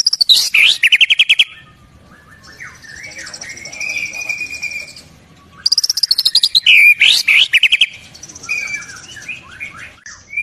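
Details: Energetic white-rumped shama song from Indonesia with a rich filler repertoire. Bursts of fast ticks and repeated sharp chirps alternate with quieter, varied whistled phrases that slide up and down, in two long sequences.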